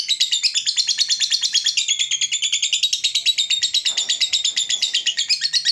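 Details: Long ngekek of a lovebird, used to lure and train other lovebirds: a continuous, very rapid shrill chatter of harsh high notes, about three per second, running without a break.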